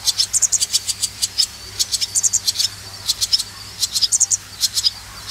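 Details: Swallow chicks being reared, giving high thin twittering begging calls in quick clustered bursts, short peeps repeated rapidly with brief pauses between groups.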